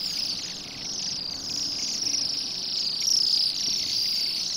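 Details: Bohemian waxwings on a rowan tree in a roadside yard in Pushkin, Saint Petersburg, Russia, on an overcast December day, feeding on berries; a dense, continuous high trilled chorus from several birds over steady background noise.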